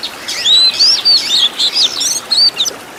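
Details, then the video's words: Master recording of kacer, the Oriental magpie-robin, with rich filler phrases for training caged birds. Bright, piercing whistles rise and fall quickly in short clustered bursts, ending in a few sharp chips. "MASTERAN KACER ISIAN MEWAH BIKIN GACOR | MASTERAN BURUNG KACER FULL ISIAN TEMBAKAN MEWAH LENGKAP"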